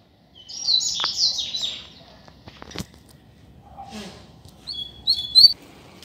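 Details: Double-collared seedeater, a loose bird singing out on the street: a burst of high, rapid, twittering notes, then short, sharp, high whistled notes after a pause, over faint low background noise.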